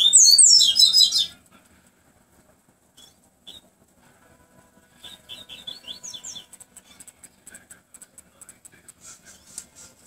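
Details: Double-collared seedeater giving the song style called tui tui flautado. It opens with a loud, rapid burst of high twittered notes, then shifts to quieter scattered chirps and soft rhythmic ticking.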